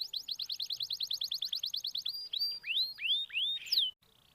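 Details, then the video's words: Lure canary song for prompting a quiet bird: a quick even series of short repeated notes, followed by a few long clear whistled swoops that fall then rise, ending abruptly in near silence. "pancingan kenari malas bunyi"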